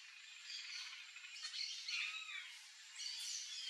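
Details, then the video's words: Yellow-chevroned parakeets (Brotogeris chiriri) at backyard fruits give shrill, scratchy chattering calls in overlapping bursts, high and harsh throughout, with faint background hiss. "PERIQUITO-DE ENCONTRO AMARELO (BROTOGERIS CHIRIRI), YELLOW-CHEVRONED PARAKEET"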